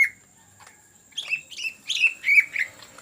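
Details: Energetic greater green leafbird, ngetrok song for luring: a single note, a quiet second, then five or six bright, slightly buzzy notes in fast, irregular succession.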